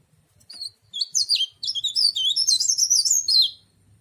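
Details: A kept mountain leaf warbler opens with a few high chips, then pours out a lively, quick-fire string of shrill, warbling zigzag notes for about two seconds.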